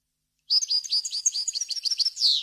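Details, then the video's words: European goldfinch in varied wild-style song used to tutor chicks: a dense two-second run of high, rapid chirps and buzzy notes ending on a long downward-sliding note, with a clean background. "غناء طائر الحسون ، صوت صافي وخالي من الاخطاء لتسميع الفراخ"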